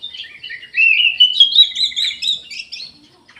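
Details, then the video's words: Orange-headed thrush in an aviary singing a rapid, run-on warble of sweet whistles and chirps that rises and falls for about two and a half seconds. "ANIS MERAH GACOR"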